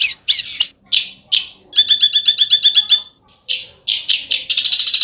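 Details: High besetan bird song. Several separate harsh, sharp notes lead into a fast ticking trill, then a pause, then more strident notes ending in a rapid buzzing rattle.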